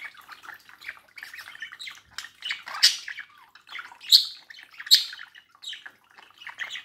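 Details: A budgerigar pair kept as pets, at a mirror, keeps up lively warbled chatter, quick chirps and squeaks running throughout with loud peaks near three, four and five seconds.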